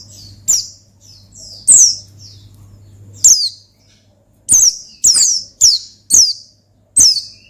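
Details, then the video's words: Oriental white-eye song used to challenge a rival: softer high twittering at first, then a rapid run of shrill descending chirps close together, steady electrical hum in background. "Gacor Ngalas Manggil Lawan Perangsang Burung Pleci"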